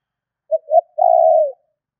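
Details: Spotted dove call used to attract wild doves: one clean phrase of two short soft notes and a half-second long coo that sags in pitch at the end, with no background sound.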